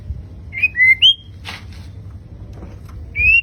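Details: Fighter-type white-rumped shama giving its bursting 'tembakan' song: clear, loud whistled notes, some rising and some falling. A short noisy rasp comes between the whistles, over a low background hum.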